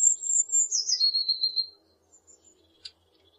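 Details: One blue tit phrase of high, thin notes dropping into a fast trill lasting under two seconds, followed by quiet, a faint low hum and a single sharp click.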